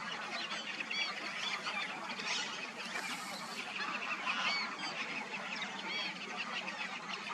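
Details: A huge migrating flock of black-tailed godwits fills the air with a constant chatter of overlapping nasal, yelping calls, rising and falling in a dense chorus.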